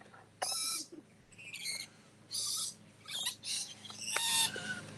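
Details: Captive rainbow lorikeets screaming in a rainforest-style habitat give harsh, shrill screeches in short bursts, about six in five seconds, over a steady low hum; such loud calls help them find friends and warn of danger.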